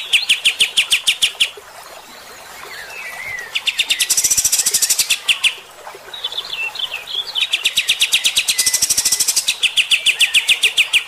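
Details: Bulbul known locally as kapas tembak in lively 'gacor' song: long runs of rapid chirps alternate with dense high trills and a few scattered twittering notes between bursts.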